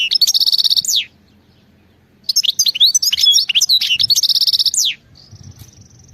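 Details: Wild European goldfinch in full song, opening with a rapid buzzy trill of evenly repeated notes, then a long jumble of tinkling twitters and slurred whistles. Another fast trill follows, then a thin drawn-out high tone, over a quiet low background.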